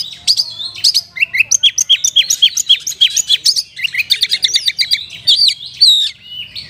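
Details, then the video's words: Kapas tembak-style song from an oriental magpie-robin: rapid descending whistled notes repeated in a steady train, then mixed chirps and short trills. "KACER RASA KAPAS TEMBAK ORIGINAL SOUND"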